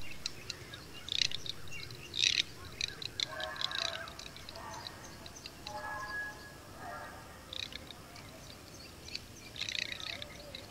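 Dry, crackling garganey rattles come in two bursts of about a second each. Sharp high chirps from other birds break in several times.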